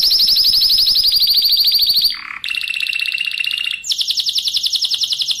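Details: Spanish Timbrado canary singing, recorded as a master song for teaching other canaries; long rapid metallic rolls, high and evenly pulsed, break into a short lower buzz, resume as a flat steady trill, then a higher beating roll.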